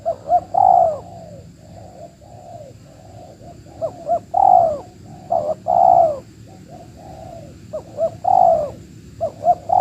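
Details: Wild Spotted Dove responding during a trapping session aimed at a big-voiced bird: repeated phrases of short hooked coos followed by a long, drawn, slightly falling coo, several phrases in ten seconds, over a faint steady high hum.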